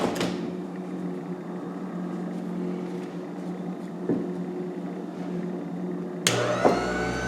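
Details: Steady vehicle engine drone with a low hum, a brief knock midway and a sudden louder mechanical surge near the end, with no animal voice.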